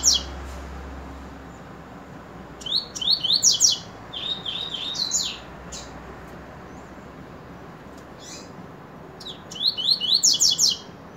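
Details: Repeated coleiro song bouts: a long buzzy, whistled phrase with quick falling strokes and warbled notes around the third to fifth seconds, then a similar burst of rapid sweeps near the end.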